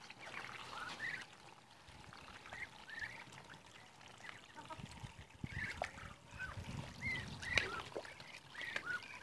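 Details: Muscovy ducks in a group on day 52 give scattered thin whistled peeps with upward sweeps, a few sharper notes toward the end, against a running-water-like hiss and low rumbles.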